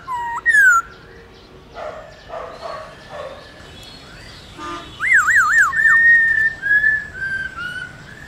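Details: Laughingthrush wild-type song, played to stimulate newly caught captive birds to sing: a few scattered whistles, then a loud wavering whistled phrase rising and falling several times, followed by long level whistles over a faint background hiss.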